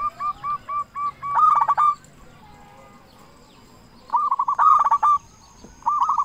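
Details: Zebra dove of local stock singing loudly, played to coax other doves to sing: a string of clipped cooing notes speeds into a rolling burst, then after a pause two more rapid, hard-edged phrases.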